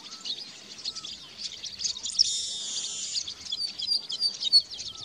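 Chestnut-capped Blackbirds give dense, high chattering calls, with a drawn-out wheezy buzz near the middle, over faint background noise.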